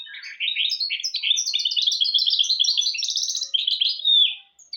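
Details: Song of a goldfinch-canary hybrid (mule), offered as a tutor for young goldfinches and canaries: a rapid, unbroken stream of high twittering notes and buzzy trills that fades out near the end.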